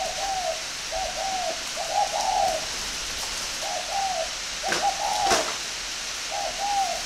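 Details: Spotted dove of the northern Vietnamese singing type, kept at a breeding farm in Ba Vì, Hanoi, gives soft mid-pitched cooing phrases, slightly rising then falling, repeated in a loose series over steady background hiss with a couple of sharp clicks.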